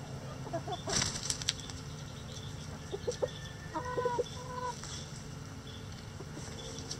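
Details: Backyard chickens in a sunny coop: a rustle or flap, then scattered clucks and short tonal notes, repeated in small clusters, with a low steady hum.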